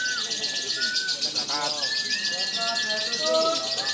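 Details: At a bird-singing contest in Yogyakarta, Indonesia, a first-time lovebird competitor keeps up a shrill, unbroken chattering trill, while steady whistled tones and short gliding whistles sound over a murmur of people talking.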